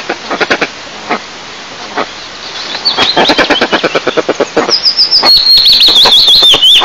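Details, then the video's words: Wild breeding pair of eastern imperial eagles at their nest about 20 m up in Lower Kama National Park, Tatarstan, Russia, 15 May 2024, during incubation; short barking notes repeat in quickening bursts, then thin high whistles from another bird. "Eagle Couple Discusses Incubation Scheduling"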